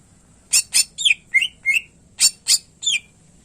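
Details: Greater green leafbird (cucak ijo) in lively song, recorded as a master for encouraging other birds that rarely sing: sharp, high chipping notes alternating with downslurred whistles, about nine loud notes in irregular bursts.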